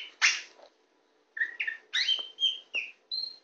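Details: Tame white-rumped shama on a hand, singing a harsh scratchy note followed after a pause by a run of quick whistled and slurred phrases.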